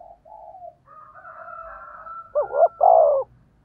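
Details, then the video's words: Low, soft cooing and a faint drawn-out whistled tone from a spotted dove used as a lure for wild doves, ending in a loud, hoarse two-part coo with a long, falling second note. "Tiếng cu gáy thúc bổi"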